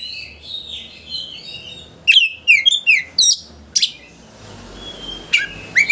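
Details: Singing Oriental magpie-robin, played as a lure to anger a rival into opening its tail: soft warbling, then a rapid run of loud, downslurred whistled notes and a harsh burst, ending in sharp upslurred chirps.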